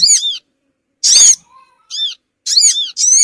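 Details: Crimson sunbird lure call used to attract small birds: loud, harsh, buzzy chattering notes with arched, harmonic-rich shapes, given in short bursts separated by brief silences, with a faint low tone between bursts.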